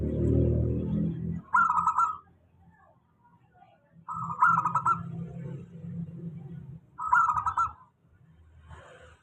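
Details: Local zebra dove singing a steady lure song for birds slow to sing: three evenly spaced bursts of rapid, trilling coos about every three seconds, with a low rumbling noise at the start.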